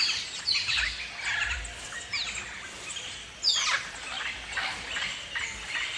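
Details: Galah, the pink-and-grey rose-breasted cockatoo of Australia, giving a few loud, harsh broadband screeches, strongest just past the midpoint, over a dense background chatter of many chirping birds.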